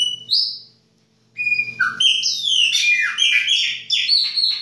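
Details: Chopi blackbird singing its baianinho-style winter song: clear whistled notes at steady pitches, a brief pause, then a rapid run of bright, slurred whistles and chirps that rise and fall over low steady hum.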